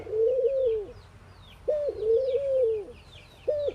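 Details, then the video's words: Ring-necked dove cooing in the Indian morning: a long smooth coo that swells and fades, a sharp short note, another long coo, then a short note again, with soft chirps of small birds in the background. "Ringneckdoves calling sound !! Indian Birds Dove morning activity Doves cooing"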